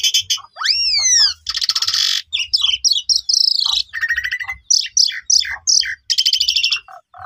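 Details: Asian pied starling singing loudly and at length as a lure for silent starlings. Long curving whistles lead into a harsh hissing burst, fast ticking chatter, rising chips and a final buzzy rattle.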